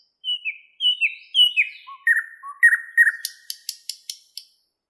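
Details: Thrush nightingale in a Moscow park, morning of 11 May 2016, singing a sequence of repeated whistles. Descending slurs come in threes, lower notes follow, and a rapid run of dry clicks closes the phrase.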